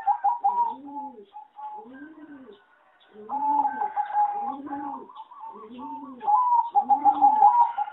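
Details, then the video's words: Zebra doves bred on farms for song competition, their melody called poor, give a run of quick trilled coos with lower curved coo notes repeated about every second, and several doves calling together. "A lot of Zebra dove from many farms are not so good singing and worst melody"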